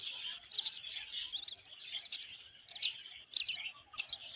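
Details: Hungry myna chicks being fed termites by their mother, giving harsh, noisy, broadband begging bursts in rapid repeated clusters, loud and high, separated by short quieter gaps.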